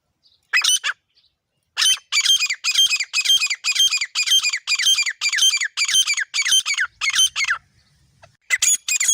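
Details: A pair of grey francolins (teetar) used as a hunting call gives loud, harsh, grating notes in a fast run of about twelve bursts, roughly two a second, after a short opening phrase.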